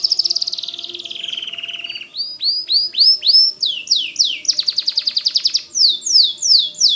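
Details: Continuous song of a white canary: a fast buzzy trill that slowly drops in pitch, followed by bright rising chirps repeated about three times a second and a dense rapid roll.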